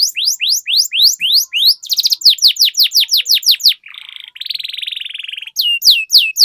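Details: Canary song used as a lure to get other canaries singing and rolling quickly. Fast series of high rising sweeps, several per second, then a brief pause and a dense buzzy roll, followed by more sweeping notes.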